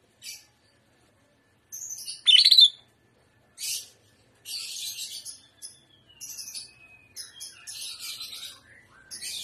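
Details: Trotolan-style song of a Greater green leafbird (cucak ijo, gaya udang): loud harsh bursts, then a long drawn whistle sliding slowly downward under a run of uneven scratchy chatter.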